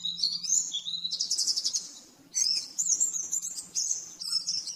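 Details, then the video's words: Oriental white-eye song used as a master recording for training caged birds, in the rapid 'nembak-nembak' style: high, fast twittering phrases with sliding whistles, broken by a short pause near two seconds; a faint steady low hum underneath. "Masteran burung pleci nembak-nembak 100% jernih"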